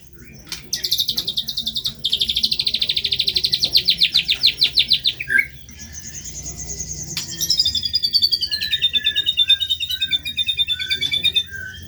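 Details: White-rumped shama in full song with rough, harsh material: a long, fast, buzzy trill of high rattling notes lasting several seconds, a brief break, then an even higher sustained trill sliding downward, with soft chirps underneath.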